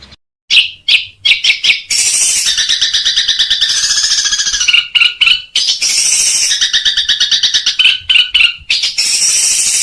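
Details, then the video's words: Long-tailed shrike song mixing kuntilanak and sparrow imitations with ngekek tembakan: harsh buzzy chattering bursts alternate with fast stuttered notes and short whistled tones. "masteran burung cendet 2021 kuntilanak vs gereja ngilerr"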